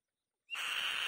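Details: White-tailed kite, a female at her nest, starting one loud grating scream after silence, introduced by a brief rising whistle and cut off mid-call.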